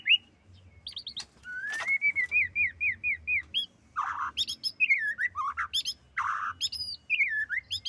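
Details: Female white-rumped shama producing a varied series of clear whistles: a rising slurred note, several short downslurred phrases in a row, then sharper high notes mixed with lower harsh chattering bursts.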